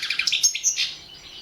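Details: Short excerpt of European goldfinch competition song from an internet championship: a quick series of bright chirps ending in a drawn, slurred note that fades out.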